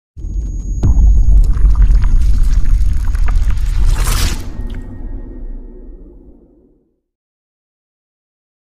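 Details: Loud rumbling, splashing noise that fades out into silence after about seven seconds, with no clear animal call.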